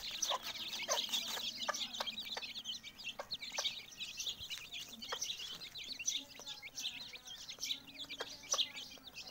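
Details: Mother hen with her chicks: many chicks keep up shrill, overlapping peeps while the hen gives short, low clucks in a loose series, roughly one or two each second, throughout.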